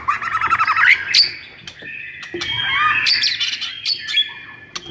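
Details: White-rumped shama singing agitatedly to stimulate silent birds: a rapid tumbling mix of buzzy chatter, sharp whistled notes and sustained warbling phrases, dense and continuous throughout.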